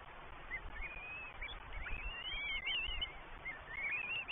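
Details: New Forest Northern goshawk chicks, three in the nest, beg as first the mother and then the father feed them on 20 May 2023. Overlapping high whistled squeals pile up in a quick, uneven chorus over background hiss.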